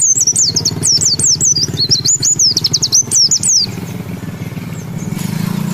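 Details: Zosterops white-eye with ngalas ngeroll song: a quick series of high, looping whistled slurs for about three and a half seconds, then only a steady rumbling motor-like noise.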